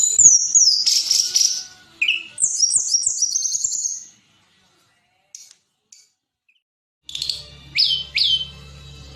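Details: Blood-breasted flowerpecker song used to train songbirds: sharp high slurred whistles and a quick stuttering series of piping notes. Two seconds of near silence follow, then three downward-swooping chips over a low steady hum.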